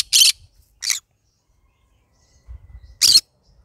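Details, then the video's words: Yellow-sided green-cheeked conure, a pet bird, vocalizing in the morning: three short, grating squawks, the first and last loudest, separated by a long pause and a faint rustle. "cute bird singing : good morning My bird singing to day Green cheek conure yellow sided"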